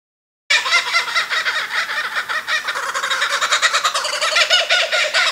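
Kookaburras in a loud, raucous cackling chorus of harsh, rapid chuckles that rise and fall in pulses for about five seconds without pause.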